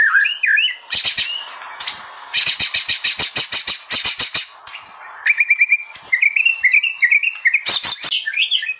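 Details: White-rumped shama (murai batu) in vigorous song, used as a training master: fast bursts of rattling click-notes repeated in quick series, then strings of bright, looping whistled phrases, with more sharp clicks near the end.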